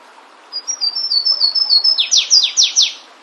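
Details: A Flavescent Warbler singing in the wild gives a quick run of thin, high chips that speeds into a loud, ringing phrase of descending slurred notes; quiet background.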